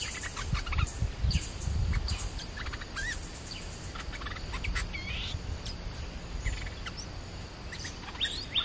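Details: Stripe-throated bulbul kept as a trapping decoy in a newly tried cage, giving lively chirps and short slurred whistled notes in loose bursts, with low rumbling thumps and background hiss outdoors.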